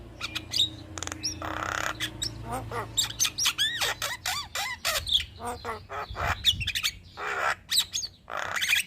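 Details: A Javan myna said to sing day and night, used to train and stimulate other birds, delivers a long medley of rasping bursts, arched whistles and clicks, with harsher noisy squawks in between.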